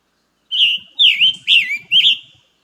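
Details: Scarlet Tanager song from a summer nesting migrant in North Carolina: four hoarse, burry, robin-like phrases about half a second apart, slurring up and down. The buzzy, raspy tone and shorter song set it apart from the Summer Tanager.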